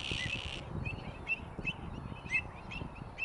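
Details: Greater flamingos at South Atanasovsko Lake in July 2020, during monthly bird monitoring, give short, nasal, goose-like honks about every half second over a steady low wind rumble, with a burst of hiss at the start.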